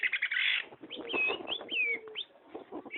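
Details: Long-tailed shrike singing vigorously: a harsh, buzzy chattering burst opens, followed by a run of clear whistled notes that slur downward and upward, with softer scratchy twitters beneath.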